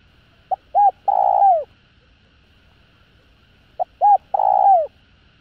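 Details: Spotted dove; cooing call; stirring other doves to respond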